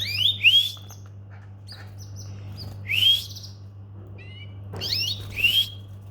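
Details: Domestic Belgian canary giving short, bright upslurred chirps, singly or in quick pairs, every second or two, over a steady low electrical hum; Belgian canary.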